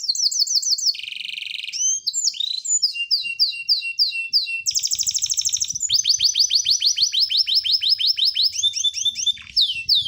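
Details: [5, 'Master recording of birds for training contest singers: dense, rapid medley of buzzy rattles, repeated sweeping chirps and long fast series of rising notes, with faint low rumbling beneath.']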